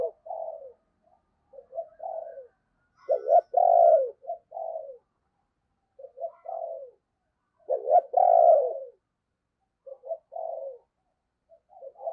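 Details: Decoy spotted dove cooing in the morning to lure wild doves: low, hollow coo phrases with a loud drawn-out middle note, repeated in bursts every few seconds, with faint high chirps from another bird in the background.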